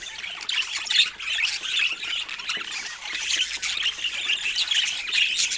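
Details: Several budgies keep up constant high-pitched twittering and warbling, with sharp chirps standing out now and then.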